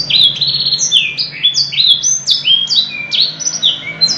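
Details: Canary in continuous, lavishly ornamented song (kenari gacor, cengkok mewah): fast runs of bright, high, downward-sliding whistles and short trills follow one another without pause, loud and clean over a soft low hum.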